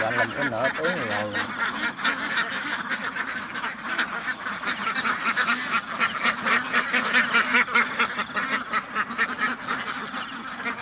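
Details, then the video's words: Ducks on a farm produce a thick chorus of rapid gravelly quacks, repeated a few times a second. A longer rising and falling call sounds near the beginning. "duck farm ducks house بطخ بطخوں کا فارم"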